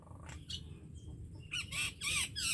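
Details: Common myna giving harsh, noisy squawks: a few softer notes, a brief thin whistle, then loud raspy, rattling bursts of sound that fill the last second.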